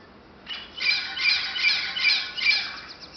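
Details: Parrots calling in Martinique: a series of harsh, rasping squawks, about five in quick succession after a short pause, loud and close, with quiet outdoor background.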